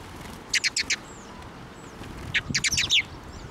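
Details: Sparrows flying onto a hand to take food at a Tenmangu shrine, 23 June 2024; two bursts of four or five quick, bright chirps about two seconds apart, with faint thin whistles and light rustling between.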